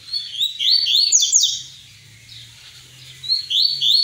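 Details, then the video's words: Double-collared seedeater in the 'tui tui' song style: dense bursts of high, twisting whistled notes with rapid up-and-down slides, a pause, then another high phrase starting near the end; faint low hum in the background. "Coleiro Papa capim tui tui"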